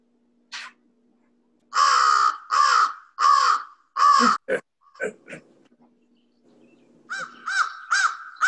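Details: American Crow calls from a played recording, part of its repertoire of communications rather than simple territorial songs: a single short note, then a run of five loud, harsh, evenly spaced caws, a few rougher croaks, and three more caws at the end.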